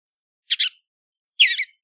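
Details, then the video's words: Western bluebird making two short, rough, chattering chirps with a buzzy texture, the second louder and slightly longer, about a second apart. "Western Bluebird Song, Western Bluebird Call!"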